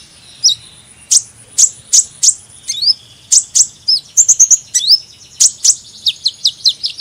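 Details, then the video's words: Hummingbird vocalizing with spaced, sharp high chips about every half second, mixed with short rising and falling squeaky slurs and a brief rapid flurry midway. "Kicauan Burung Kolibri"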